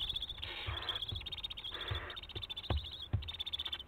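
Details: Six young barn owls in a nest box at Théding, France, on 3 July 2023, jumping, staring and flapping their wings. Two rough, breathy hisses of about half a second each, over steady high insect chirping and a few thumps.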